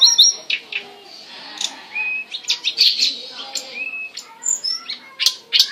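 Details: Hill blue flycatcher in lively song, played to rouse other flycatchers and to tutor captive white-rumped shamas, greenbuls and magpie-robins. An irregular jumble of sharp high chirps, brief clear whistles and quick twittering notes runs throughout.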